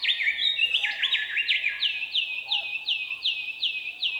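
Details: A male Willie Wagtail in the Australian outback sings to attract a mate and claim territory: a bright, high run of chattering notes, then a sweet, slightly hooked phrase repeated about three times a second, steady and insistent.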